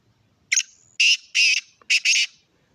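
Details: Black francolin calling: a loud, harsh, grating phrase of five buzzy, rasping notes, the first brief, then two longer, then a quick pair, all within two seconds, with no other sounds.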